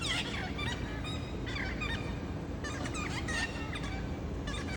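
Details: Small group of parrots visiting on a Saturday afternoon in August: loud, busy chorus of overlapping grating squawks and bent, chattering notes, ending abruptly.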